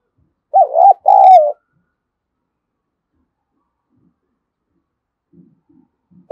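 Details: Spotted dove cooing to stimulate other doves: a loud two-note coo, short then longer and falling slightly, followed by quiet pause with faint low murmurs and another coo starting at the end.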